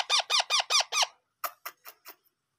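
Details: Parrot chicks begging while being hand-fed: five loud, harsh, pulsed calls in quick succession, about five per second, followed by four fainter, shorter calls that fade out; indoor setting.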